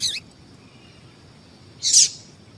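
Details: Female yellow-bellied seedeater calling to excite males: a short high chip at the start and a fuller, slightly longer one about two seconds later, with quiet hiss between.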